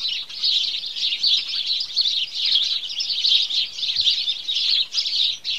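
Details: Chattering morning chorus of house sparrows: numerous birds give rapid overlapping chirps in a steady, high, jangling stream, with a couple of brief softer moments.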